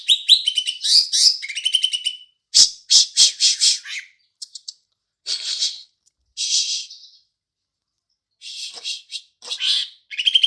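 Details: Green leafbird song imitating a house sparrow: bursts of high, harsh chattering chirps and buzzy notes in uneven phrases separated by short silences.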